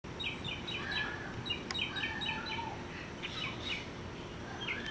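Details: Mockingbird serenading in a yard, singing from about 50 yards away and 30 feet up: quick series of clear chirpy phrases, each note repeated several times before switching to a new, lower slurred phrase, with faint background hiss.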